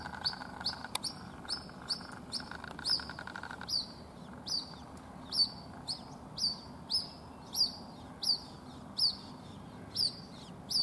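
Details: Lost white-breasted waterhen chick calling for its mother after she flew over a wall, Rajasthan, India. Shrill descending peeps repeat every half second or so, with a brief low humming sound in the first few seconds.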